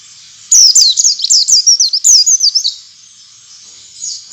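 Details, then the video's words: A rapid, jumbled twittering run of high zigzag chirps from a white-eye, lasting about two seconds and then fading, used as a lure to make other white-eyes sing fully and open their beaks. "suara pancingan pleci agar pleci ngalas dan pleci buka paruh buka paruh"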